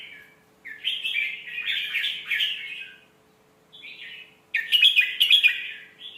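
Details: Red-whiskered bulbul song, a sweet phrasing style used for teaching young birds: a long rich warbled phrase, a pause, a short soft phrase, then a loud bright burst.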